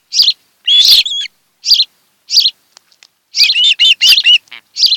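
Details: On camera at their Kent Island, Maryland nest on 26 July 2018, an osprey pair; single whistled chirps, one drawn-out yelp, then a burst of rising and falling chattering whistles.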